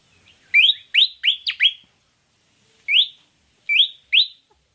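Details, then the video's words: Pied fantail song used as a lure to draw birds into singing: a quick run of five clear upslurred whistles, a pause, then three more rising whistles spaced apart. "Pancingan suara burung kipasan/srikatan jawa javanica)"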